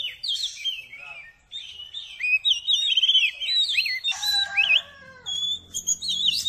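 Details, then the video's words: An Oriental magpie-robin in full song, used to lift a kept bird's mood; flowing whistled phrases with sliding notes and trills, continuous and varied, ending in high sharp notes. "TERAPI KACER CEPAT NAIK EMOSI"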